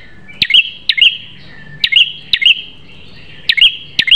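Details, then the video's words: Piercing prinia song used as training audio for captive birds: doubled snapping notes, a click and a bright whistle each, given in pairs spaced about half a second, with a thin lower tone between pairs. "Masteran Prenjak Terganas Suara Pedas"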